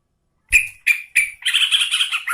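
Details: Female Yellow-vented bulbul calling to a male while in breeding condition: three sharp chirps, then a fast bubbling, twittering warble, a vocal long run of song.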